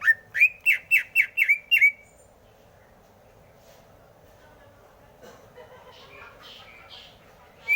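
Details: Greater green leafbird singing: a quick run of seven loud whistled notes, each sliding up and then down, packed into the first two seconds. Quiet follows, with faint scattered chirps near the end and a sharp rising note at the close.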